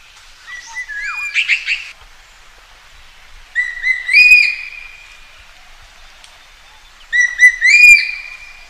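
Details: Common green magpie in natural surroundings calling to find a mate: a scratchy, warbled phrase, then two loud calls about three seconds apart, each a burst of rough notes running into a sustained high whistle, over a quiet background.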